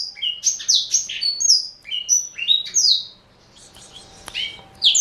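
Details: Pet male black-throated canary, Somerini x Botswana cross aged four, sings high, bright chirping phrases for three seconds, then a quiet pause before one more sharp note.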